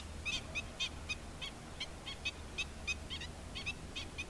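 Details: Black-winged stilt, an adult attending chicks, calling with clear, squeaky nasal yelps spaced roughly every third of a second, steady and persistent, over a low background hum.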